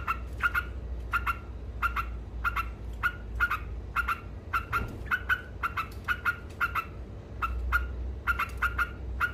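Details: Ngekek-style song of a yellow-vented bulbul, or trucuk, that is said to agitate rival birds: crisp rasping notes in rapid doublets, repeated almost without pause, over low background hum.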